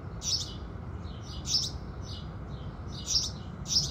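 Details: House sparrows greeting the sunrise: bright cheeps in uneven pairs and singles, some near and some distant, with a continuous low hiss underneath.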